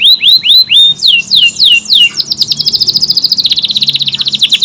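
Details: Canary in full, long-running song with tight bursts, used as tutor song for other birds: several rising whistled notes, then falling slurs, then a fast, dense high-pitched trill to the end.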